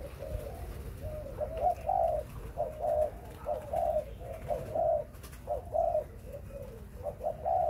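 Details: Spotted dove from breeding stock singing repeated two-part coos: a short lead note, then a fuller, drawn-out hoot, phrases coming about once a second with a faint hum behind.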